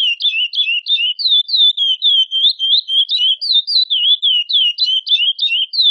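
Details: A female chestnut-bellied seed finch calls for mating, pouring out high, quick, wavering chirps about three or four per second, some clustered in tight doublets, continuous and clean against a silent background.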